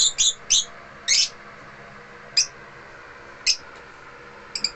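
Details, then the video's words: Pet African lovebirds at home giving quick, shrill chirps, a rapid cluster at first then scattered single notes, with a constant low background hum. "AFRICAN LOVEBIRDS AT HOME SINGING"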